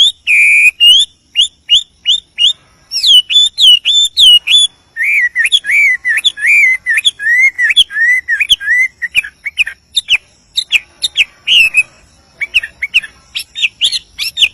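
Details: Chinese hwamei male calling to a female in the wild. A long, rich song of clear whistles, fast note strings and rolling warbled phrases, with varied rhythm and only brief pauses.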